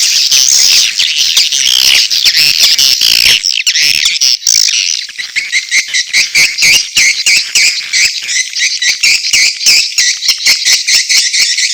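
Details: Mating calls of edible-nest swiftlets with chicks calling: a loud, harsh, high chatter at first, then quicker clipped chirps repeating at an irregular pace.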